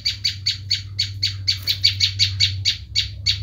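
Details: Loud Bar-winged prinia screaming call, a lure for wild prinias: about fourteen evenly spaced, harsh, high notes, roughly four per second, over a steady low hum.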